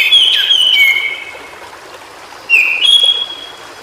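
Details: White-browed shortwing in its natural habitat: clear whistled notes sliding down around mid-high pitch, a pause, then a rising whistle with a short trill, over a soft running-water background.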